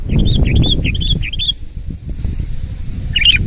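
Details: Sooty-headed bulbul in full, loud song: three quick bubbly whistled phrases in the first second and a half, then a brief warble near the end over a steady low rumble.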